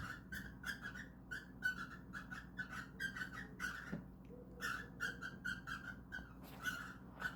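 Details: Pair of cockatiels caught trying to mate, giving rapid raspy chattering squawks in near-continuous clusters, a few louder grating notes standing out, over a faint constant low background hum.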